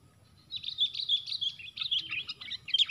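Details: Sooty-headed bulbul fighting, four birds versus one, at a lure trap; after a quiet start, a lively string of high chirps and quick notes rattled off without pause.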